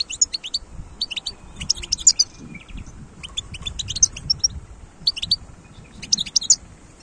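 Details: Wild European goldfinch singing in separate bright bursts of tinkling, twittering notes with brief pauses between phrases, faint low rumble beneath.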